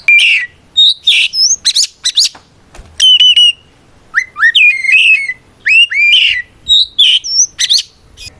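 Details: Loud 'ngeplong' fighting song of an Oriental magpie-robin, meant to call out rivals and provoke them to reply: rich whistled phrases with rising sweeps, sharp chips and buzzy notes in quick, varied succession.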